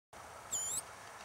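A Rufous-crowned Sparrow gives a single thin, very high call note lasting about a third of a second, over a steady background hiss.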